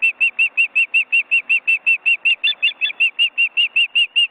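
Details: Osprey family at a nest in an Estonian forest reserve, on a live webcam, with grown chicks flapping their wings. A steady run of clear whistled 'cheep' notes, about two and a half per second, evenly spaced throughout.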